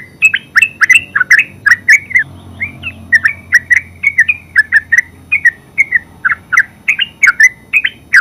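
A yellow-vented bulbul in nonstop chattering song: bubbly, slurred mid-pitched notes tumbling out about three per second with sharp clicks between, and no pauses.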